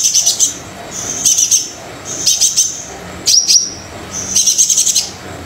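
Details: Brown-throated sunbird in lively song, a lure for sunbirds reluctant to sing: rapid trains of high, buzzy tick notes over thin whistles, five bursts about a second apart.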